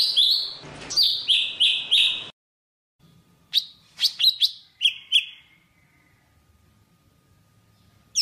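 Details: Java sparrow calling the flock: a quick row of loud high chirps over broad noise, silence, then scattered sharp clicking notes and a short descending phrase.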